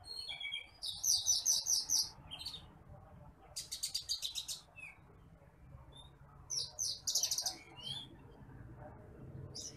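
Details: Bush lark, the branjangan apung or titimplik, a rice-field bird, recorded as a training song for other birds: bursts of high, thin, rapidly repeated chirps in short trills, separated by brief pauses, over a low rumbling background.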